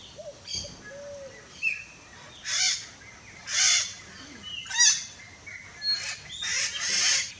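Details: Free wild red-shouldered macaw in Brazil uttering short, raspy squawks roughly once a second, mixed with thin whistled notes against a soft background hiss.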